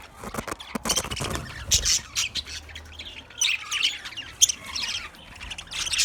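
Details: Budgies kept in a cage give busy, scratchy high-pitched chattering in irregular bursts, louder flurries around the middle and end, with a low background rumble.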